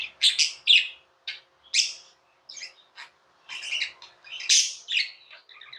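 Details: Pet budgie chirping indoors in a room, giving sharp, harsh, squawky notes and short chattering phrases spaced irregularly, with a loud scratchy burst near the end.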